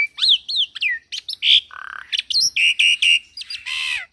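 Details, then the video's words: Black-winged Myna, a young caged bird in full song for training: arched whistles, a harsh buzzy burst, evenly repeated clear notes, and a closing raspy rising note. "Masteran Burung Jalak Putih Full Isian - Jalak Putih Muda Gacor"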